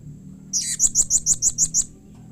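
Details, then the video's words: Blue-crowned hanging parrot call that makes other hanging parrots respond: a quick run of eight sharp, very high, squeaky notes, evenly spaced about every 0.15 seconds, with a faint low hum beneath. "SUARA Serindit Seperti Ini Paling Di Sukai & Cepat Di Respon Bikin Nyaut Semua Burung Serindit"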